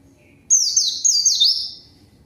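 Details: A white-eye lure song for calling an opponent bird: one short run of three or four high, descending, slurred whistles fading out.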